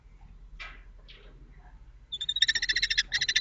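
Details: Common kestrel young in a nest box at Théding, 1 July 2024, where a fallen chick was adopted. After soft rustles, a rapid series of harsh, buzzy, strongly harmonic calls begins and repeats several times a second, with a brief break near the end.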